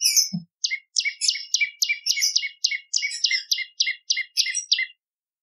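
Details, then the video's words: Bar-winged prinia in lively song, used as a lure and as tutor song for magpie-robins, green leafbirds and cungko: a steady series of about fifteen sharp two-part chirps, a high note over a lower one, repeated several times a second. "Prenjak Lumut Gacor ! Variasi Suara For Murai C Ijo Cungko / Pancingan Prenjak Gacor /Suara Pikat"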